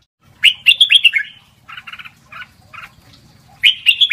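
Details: Red-whiskered bulbul song in the lak wai style, used to train young birds to sing: bright warbled phrases open and close the clip, with short buzzy note clusters between them and a faint low hum beneath.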